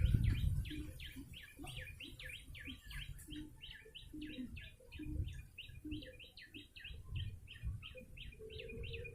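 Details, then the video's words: Yellow-bellied prinia, recorded to attract birds, delivering fast repeated high chirps, nearly four each second, fairly quiet overall, with low rustling noise and a faint steady tone behind. "Pikat burung prenjak lumut"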